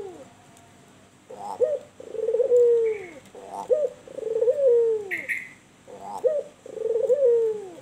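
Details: Albino puter, a white turtle dove, in full voice with kuwor bekur coos. Four phrases each open with a quick clipped note before a drawn-out, soft, falling tone. A brief higher chirp appears mid-clip.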